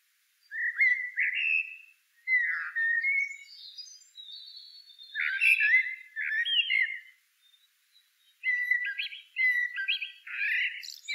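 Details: Blackbird singing nearly continuous warbled phrases of fluted whistles, sliding up and down, with scattered thin high notes woven between them and only brief breaks.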